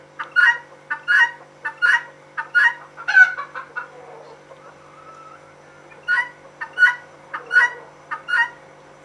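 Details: A female guineafowl gives a series of paired rasping cries, breaks off for about two seconds, then resumes the same two-note rhythm.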